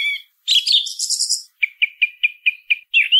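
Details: Song thrush singing, a bird heard almost year-round: a harsh squeaky burst, then one short clear note repeated seven times at even quarter-second intervals, ending on a rising whistle.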